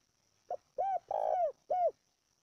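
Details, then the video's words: Spotted dove cooing, a call for stirring and training caged decoy birds: a faint short lead note, then a mellow coo, a longer drawn-out falling coo and a final clear hoot, in a quiet setting. "tiếng chim cu gáy gọi kích mồi tập bổi cực chuẩn"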